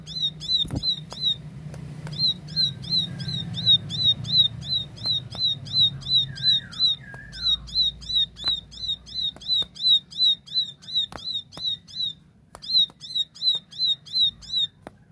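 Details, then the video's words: Plain prinia (ciblek sawah) singing in the clear, lively 'tembakan' style: long bursts of sharp, bright, slightly downslurred notes, nearly three per second, broken by brief pauses, over a faint low hum and a few clicks. "Tembakan Gacor Jernih Ciblek sawah"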